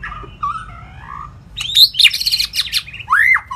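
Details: White-rumped shama in long song, recorded for training shamas to sing more and to fire up weak birds: smooth whistled phrases around mid pitch, then a burst of sharp high chirps and a bright rising slurred note.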